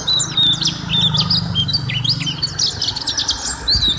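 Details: White-eye singing vigorously on a long-running training recording for caged birds: rapid high twittering of thin whistled slurs and chirps, tightly packed, with a steady low hum underneath.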